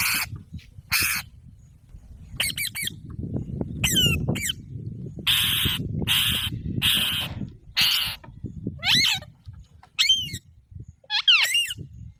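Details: Harsh broadband screeches from an Alexandrine parakeet come in a loose series, mixed with shorter bending whistled notes that dip and rise, over low background rumble.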